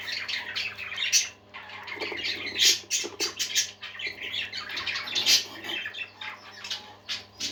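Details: Budgerigars sing in a busy flock chatter: dense warbling, squawky bursts and sharp high clicks running almost without pause, with a steady low electrical hum underneath.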